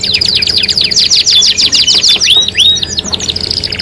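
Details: Canary song in a three-in-one lure mix meant to get other canaries singing: fast buzzy trills of slanted notes, then a few clear upswept whistles and a softer rattle at the end.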